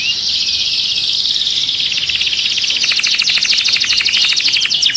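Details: Canary singing for mating, meant to activate other birds: a steady high rolling warble that breaks into a rapid pulsed trill, continuous and loud for the whole stretch.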